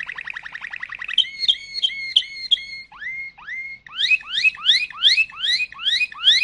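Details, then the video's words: A Malinois canary sings a rapid trill, then slurred whistled notes and a run of repeated downward-sweeping phrases, about three per second, with no other sounds. "chant canari malinois;canto canario malinois;تغريد كناري مالينوا"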